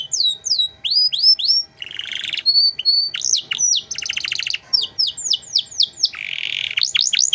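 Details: Canary master song for tutoring cage songbirds: rapid varied phrases of high downward sweeps, clear whistles, buzzy rattles and a fast ticking trill, delivered almost without pause.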